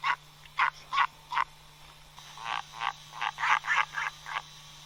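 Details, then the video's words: Albatross call: four separate nasal honks, then a quicker, louder string of rasping, braying notes. A steady low hum sits underneath. "Som de albatroz"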